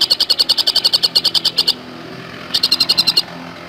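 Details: Fast song of the Javan cuckooshrike (tengkek buto): two short strings of sharp, rapidly repeated notes with a quiet pause between.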